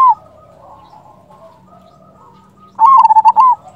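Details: Zebra dove, Indonesian local bird, calling to lure others to answer: after quiet faint background coos, a loud fast run of rolling coo notes closes the clip.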